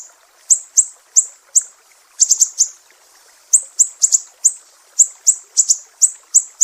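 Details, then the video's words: Mangrove whistler, Sumatra, 'besetan pedih' style used to train songbirds: clusters of shrill high notes broken by a silent second-long gap, then a renewed rapid series with doubled strokes. "SIRI SIRI SUMATRA, BESETAN PEDIH"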